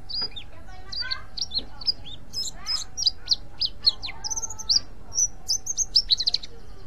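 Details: Mountain white-eye giving its ngriwik call, used to lure other white-eyes: a dense run of short, high, thin notes, many sliding downward, tumbling over one another for nearly seven seconds, with low background hum.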